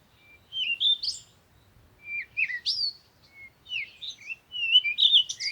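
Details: Bird singing in short varied bursts of whistled, slurred notes, some sweeping upward sharply, others falling, with brief gaps between phrases and a quiet background.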